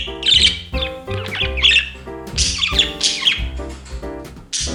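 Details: A domestic budgie chatters along to 'We Wish You a Merry Christmas' for New Year 2021, its grating squeaks and fast twittering phrases breaking out between and over the carol's vocals.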